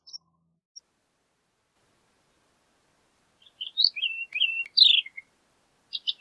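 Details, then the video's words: Horned lark (shore lark) song phrase: a quiet start, then a rapid tinkling run of high chips, short rising whistles and slurred notes, with a brief fragment at the end. "Horned Lark Bird Singing, Sound, Calling, Voice - Alondra Cornuda Canto"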